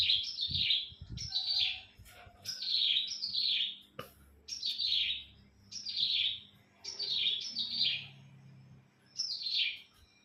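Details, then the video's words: Cilang bird kept by its owner, singing on a bright sunny morning: nine harsh, scratchy phrases, each dropping in pitch, repeated about once a second, with faint low thumps and a sharp click near the middle. "Di pagi yg cerah,burung cilang ku pun ikut ceria"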